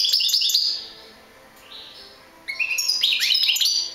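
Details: European goldfinch singing: a bright, fast burst of high tinkling twitters, a quiet pause, then a second run of liquid chirps and trills.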